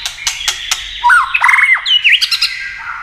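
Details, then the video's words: White-rumped shama singing in contest style with tail-flicking, a recording meant to stimulate other birds: a series of crisp clicks, then a burst of rich, tangled whistles and harsh squawky notes, rising and falling quickly. "Chòe lửa tạch đập đuôi kích thích lửa lên lửa rất nhanh kích chim hót đấu hiệu quả"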